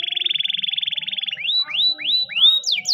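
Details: Spanish Timbrado canary singing a training song: a rapid metallic trill of even pulses for over a second, then a run of ringing rising-and-falling whistled notes, each about half a second long.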